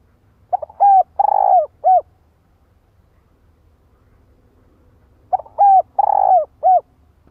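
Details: Decoy female spotted dove cooing to provoke a male, two matching phrases about five seconds apart, each with soft opening notes, a hooked coo, a long trilled coo and a brief falling end note, faint low hum beneath.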